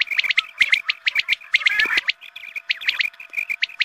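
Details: Quail sound used at daybreak prayer time to attract quail: a steady stream of short, piercing chirps, closely spaced and partly overlapping, over a faint continuous hum.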